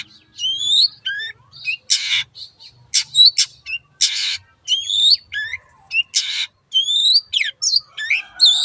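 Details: Long-tailed shrike singing energetically, alternating loud rasping buzzes with clear rising whistles and scratchy chatter, phrases coming in quick succession over nearly nine seconds.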